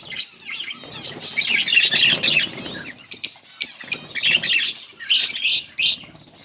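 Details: Two yellow budgerigars chirping in bursts: busy twittering chatter broken by sharp clicks and short squeaky notes, louder in the second half.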